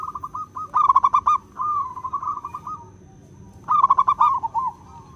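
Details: Zebra dove (local wild perkutut) singing clearly, recorded for bird luring: two phrases, each opening with rapid pulsed coos and trailing off into a quavering, slightly falling trill, with a quiet gap between.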